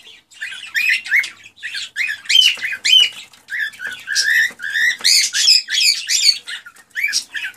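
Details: Cockatiel warbling song to stimulate mating and breeding: a continuous chatter of whistled, harmonic notes, some slurred upward, with few pauses.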